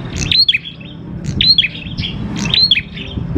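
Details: Lure recording of prinia song for prompting prinias to sing: three crisp phrases about a second apart, each a fast burst of high chirps ending in a bright downward flick, with low murmuring noise beneath.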